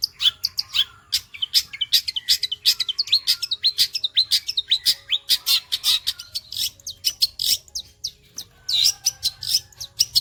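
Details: Long-tailed shrike song in a rapid sewing-machine style, a nearly nonstop stream of harsh chatters, squeaks and quick slurred whistles with only short breaks.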